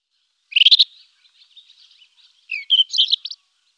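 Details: Rufous-tailed scrub robin singing two short bursts of bright, warbled notes, a rising slurred phrase followed by quick chattering twitters, separated by faint soft notes, with a quiet background.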